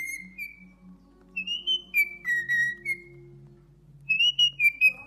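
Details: Cockatiel singing a series of clear whistled notes, some held, some sliding up or down, in short phrases with pauses, over soft low humming tones.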